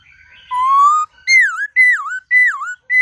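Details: Many-voiced forest-style song of a white-cheeked laughingthrush: a slowly rising whistle, then three loud, swooping notes that dip and rise again, all clean and ringing.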